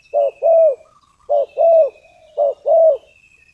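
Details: Spotted dove decoy call for attracting wild doves: three rhythmic phrases about a second apart, each a short low note followed by a longer, smooth coo, over a faint, thin, high whistle.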